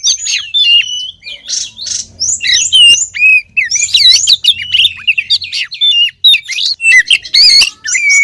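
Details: Lure recording of a female Oriental magpie-robin calling to the male: busy, varied whistles and short chirps in rapid succession, some notes bending downward, with a faint low hum in the middle.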